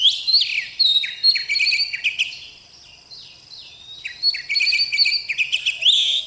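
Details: Gacor song of a bakalan oriental magpie-robin: quick stuttering chirps and ringing whistles in bursts, a soft pause around the middle, then another bright run of repeated notes.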